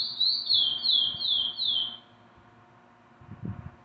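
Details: A captive chestnut-bellied seed finch (Sporophila angolensis) sings a quick run of four clear, sweeping whistles, each sliding down in pitch, followed by a couple of soft low thumps.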